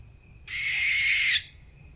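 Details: Barn owl at a nest box on 6 October 2023 at 6:57 pm, one of a pair spending much time in the box and showing affection; a single harsh, hissing, rasping screech lasting about a second, with steady crickets behind.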